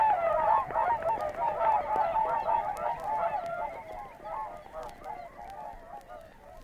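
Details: Field recording of Whooper Swans at Matsalu, Estonia, from 1979: many birds give overlapping trumpeting honks, loud at first, then thinning and fading as the chorus quietens toward the end.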